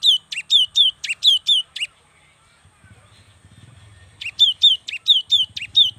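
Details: Cinereous tit, a young bird singing vigorously to provoke lazy birds: a burst of rapid two-note whistled phrases, a silent gap with faint low rumble, then another quick series of falling whistles.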